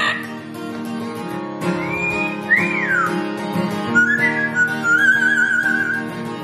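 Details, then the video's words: In Florida, Tico, a pet Amazon parrot, whistles clear sliding notes, rising and falling glides and a wavering held tone in tune with steady acoustic guitar chords; he reacts excitedly to the music, singing from his own vocabulary. "The Singing Amazon"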